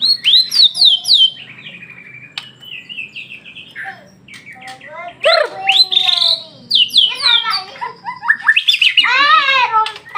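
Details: White-rumped shama pouring out a varied song: rapid descending whistles, harsh buzzy notes and fast rising-falling sweeps, phrases separated by brief pauses, over a low steady hum.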